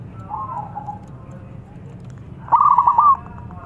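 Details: Local zebra dove, lively and big-voiced, a luring sound: a faint soft trill first, then after a pause a loud rapid series of staccato coo notes lasting about half a second.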